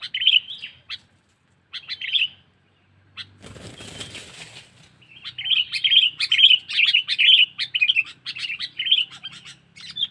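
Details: Lure call of a sooty-headed bulbul for drawing in wild birds: loud, bubbly chirped phrases in rapid bursts, a brief noisy rush of wing flapping near the start, then a long run of repeated chirps.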